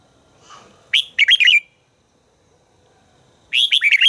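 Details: Red-whiskered bulbul being trained to sing, giving a quick burst of five or so slurred, liquid notes, then after a pause a second busier phrase, with a faint soft sound before the first.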